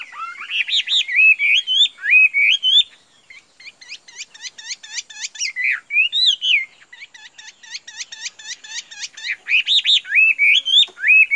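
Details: Chinese hwamei, a caged bird offered for sale, singing loud, clear whistled phrases that slur up and down. A burst of rapid, sharply repeated notes follows, then rich rising and falling whistles return. Background is quiet.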